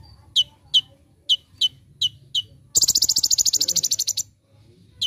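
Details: Konin, or olive-backed sunbird, recorded as a training master in tembakan style: six evenly spaced piercing chips lead into a quick, dense buzzy trill, then one final chip.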